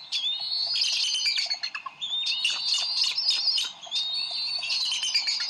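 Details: Nest of Bald Eagles at Decorah, 30 May 2012, where both adults contest a fish before the mother feeds the eaglet. Near-continuous high piping with clipped chatter and squeaky, slurred whistles.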